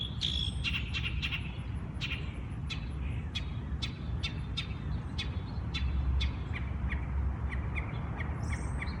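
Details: Birds singing at dawn in the wild, giving a quick series of sharp clicking chirps that slow gradually, with softer twittering behind them and steady low ambient rumble throughout.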